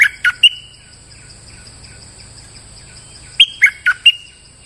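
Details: Bulbul lure call: the end of one choppy chirped phrase, three seconds of quiet hiss, then a full phrase of four bright notes finishing in a brief whistle.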